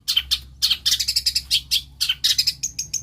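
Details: Long-tailed shrike (cendet or pentet), a clever bird that imitates many other birds' voices, sings a jumble of short, high chirps and trills in quick, uneven bursts with brief pauses, ending in thin whistled notes.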